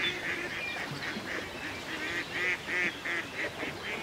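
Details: Ducks on a lake in the countryside, gliding across the water, give a run of nasal, harmonic quacks, about three a second, some louder and some softer, over a steady soft hiss of background ambience.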